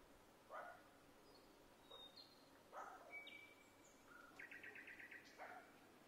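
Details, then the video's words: Nightingale singing in Vinnytsia, Ukraine, on 25 May 2024: scattered short whistled and harsher notes, then a fast even trill of about eight clipped notes, ending with a sharper burst, heard faintly over steady background hiss. "Гарно Співає Соловейко"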